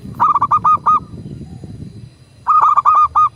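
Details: Local zebra dove used as a master recording to prompt kept doves to coo and answer quickly: two phrases of stuttering, mellow coos, each about five quick rolled notes, over a low rumbling background noise.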